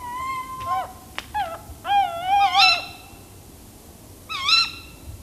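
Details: Tawny owl perched in a tree, with several tawny owl sounds mixed together: sharp, rising-and-falling calls with a bright upper edge, in about four bursts over five seconds.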